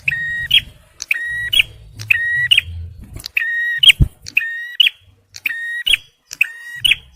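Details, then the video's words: Male bar-winged prinia singing in a loud, energetic style, used for luring and for prompting stressed birds: harsh buzzy notes with a click at each end, repeated about once a second, seven in all, over a faint low rumble. "TEMBAKAN PRENJAK MERAH JANTAN || CIBLEK SUPER GACOR"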